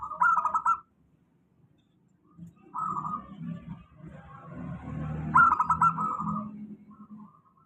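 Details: Local zebra dove song played as a stable lure for lazy-singing doves: repeated phrases of quick, stuttered, bubbling cooing notes, three bursts a few seconds apart, with a low murmuring rumble between them.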